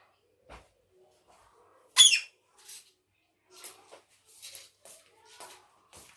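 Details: One loud, piercing, raspy screech from a pet ringneck parrot known for talking, set among several faint short chirps and scratchy notes.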